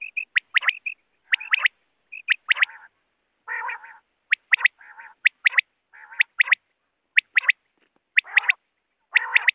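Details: Quail giving a rapid, uneven series of sharp high notes in pairs and triplets, mixed with low raspy buzzing bursts, roughly once a second.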